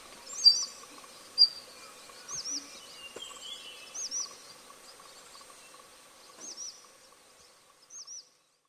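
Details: Daurian redstart, an uncommon winter visitor, recorded 15 February 2021 at Bulowan, Hualien, Taiwan, giving thin, high, hooked whistled notes, singly or in pairs, about once a second, over a faint low steady hum.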